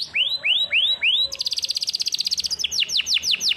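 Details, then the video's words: Canary singing for song training: four slow upswept whistles, then a fast, dense trill of rapid notes, ending with a series of descending, sweeping notes repeated about three times a second. "Canary live singing song training canaries bird"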